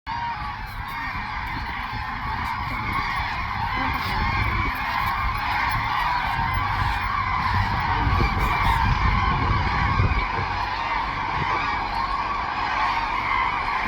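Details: 500+ migratory common cranes resting in the Thol Lake Bird Sanctuary wetland, Gujarat, India, in migratory season, keep up a dense chorus of overlapping bugling and trumpeting calls over a steady low rumble of wind or traffic.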